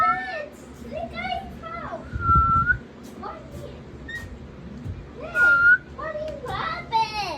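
Sulphur-crested cockatoo giving clear, steady mid-pitched whistles, each about half a second long, between bursts of chatter that sound like voices or mimicked speech.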